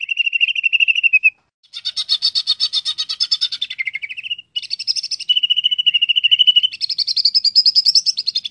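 A greater green leafbird sings a fast, varied string of bright, rattling and trilled phrases, shifting pitch between bursts with only brief pauses.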